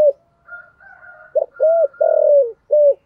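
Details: Spotted dove, 'thổ' voice style with 'thúc gù' coos: faint soft high whistles lead into a phrase of low hollow coos, short notes around a long, slowly falling drawn note.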